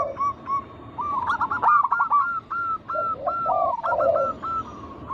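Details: A flock of local zebra doves singing as a lure for other doves: a fast string of clipped, hooked coo notes after a few spaced single notes, interleaved with deeper soft burring coos.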